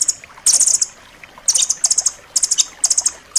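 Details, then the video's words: Rambatan loreng nuthatch, recorded as master song for pet birds, delivering brief piercing trills of quick, bright notes in bursts about half a second long, separated by short silences, with faint soft chips between. "suara masteran rambatan loreng rapat tajam"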